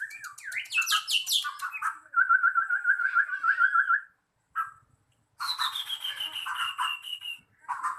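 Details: White-rumped shama at a singing contest: rich, varied whistled song with slurred rising notes, a long fast trill held at one pitch, a short pause, then a high drawn-out descending whistle and more rapid phrases.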